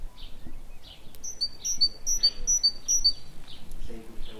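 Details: Great tit at an office-window feeder offering walnuts, hazelnuts and seeds: clear high two-note phrases, a higher note dropping to a lower one, repeated five times in quick rhythm over low rumbling background noise.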